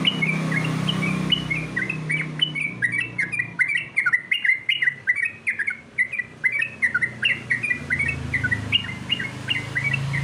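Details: Contest song of a sooty-headed bulbul: a dense stream of bright, slurred whistles, several per second, over constant background hiss and low droning noise.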